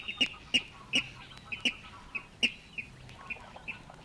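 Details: Water Rail in the reed beds of Matsalu, USSR, from a 1979 LP field recording; separate sharp high notes, loud then fading, spaced roughly half a second apart, with surface crackle.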